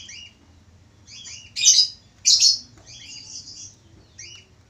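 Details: A male budgerigar sings busily: soft high twitters, then two loud harsh squawky chirps in quick succession, followed by a thin warbled trill and a last quiet chirp.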